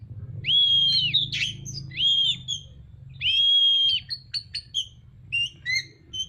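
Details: An Oriental magpie-robin in full song with its tail spread gives three long level whistles that bend at their ends, then a run of quick sharp chirps and clicks, with a low rumbling hum underneath.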